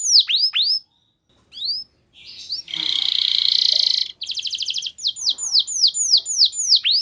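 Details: Canary song used as a lure for other canaries: falling looped whistles, short pause, a loud harsh buzz, a fast trill, then evenly spaced downward-slurred notes.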